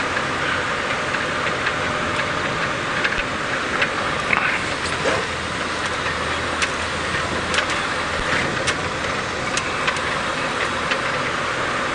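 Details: A steady vehicle engine idles under broad hiss with a few faint clicks and knocks, and no clear animal voice.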